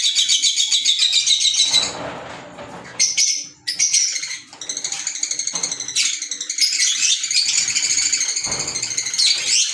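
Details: Fischer's lovebirds, green pet birds, chattering in bursts of piercing high chirps, broken by short pauses and a few soft flutters or knocks before the busy squeaking resumes.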